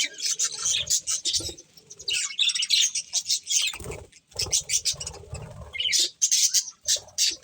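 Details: Breeding pair of budgerigars chirping in dense, warbling bursts of scratchy notes, with pauses and occasional low fluttering or rustling sounds.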